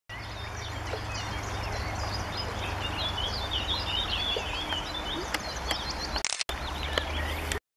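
White-throated dipper giving a busy run of sharp, high chirps and short whistles, nearly continuous, over the steady roar of rushing water.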